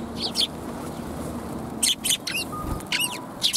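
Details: Sparrows recorded at a Tenmangu shrine, 9 December 2021: clusters of sharp high chirps in brief bursts, with a faint steady tone and low rumble behind.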